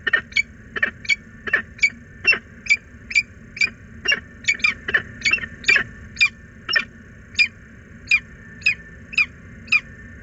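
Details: A female peregrine falcon at a nest box in Włocławek, Poland, calls repeatedly for her absent mate one afternoon on 6 April 2022. She gives a steady run of harsh, scratchy notes, about two each second, over a low background hum.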